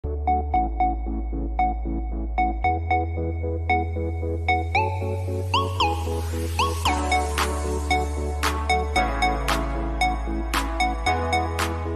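Electronic music with a steady bass line, rhythmic beats and bright synth tones; no animal voice is heard.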